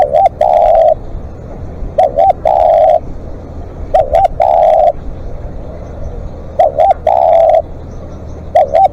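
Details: Spotted dove used as a live decoy, calling at length with deep soft coos, each a brief paired note then a long even one, phrases coming at a slow uneven pace, with clicking noises and faint rumble around them.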